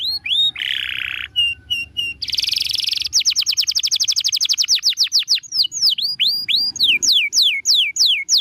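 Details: Canary song for training other birds: rising whistles, a low buzzy roll, a brighter buzz, then a long fast trill of repeated notes and a run of dipping whistled sweeps.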